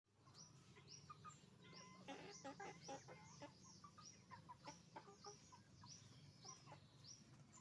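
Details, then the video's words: Roosters and hens on a chicken farm: a dense flock chorus of short harmonic clucks and squawks over a steady low machine hum, with repeated thin, high, hooked chirps throughout. "Moment of the sound of a chicken farm, roosters and hens making noise"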